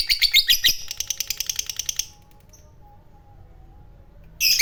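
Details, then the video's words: Fighter lovebird singing 'ngekek', used to lure other lovebirds: about two seconds of loud, buzzy, fast-pulsed chatter, then near silence before a short harsh burst resumes at the end. "Pancingan Lovebird fighter Ngekek Panjang,Suara Burung Lovebird Gacor Ngekek Panjang"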